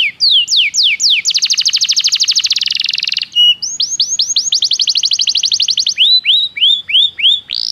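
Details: Training song of a Belgian canary for other canaries. Slurred falling whistles give way to a long dense trill, then a chain of rising notes and spaced upward-curving whistles, all high and rapid.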